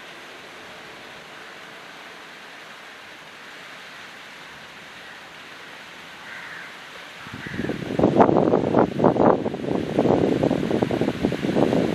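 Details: Steady wind and rustling noise, turning louder and gustier after about seven seconds, with no clear animal call.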